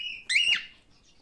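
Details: Male cockatiel giving one brief note: a steady tone breaking into a loud, rising-then-falling harsh squawk.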